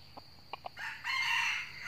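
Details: Wild red junglefowl in northern Vietnam, drawn in by a decoy bird at a trap, gives a fierce fighting crow. A few soft clucks come first, then one harsh, loud crow holds for about a second.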